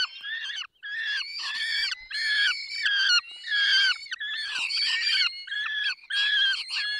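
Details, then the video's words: Peregrine falcons being fed, Barycz Valley, Poland, 20 May 2021: repeated nasal, harmonic whining calls in short runs separated by brief pauses, several birds calling together. "Karmienie 10:22 Dolina Baryczy 20 05 2021 sokół wędrowny"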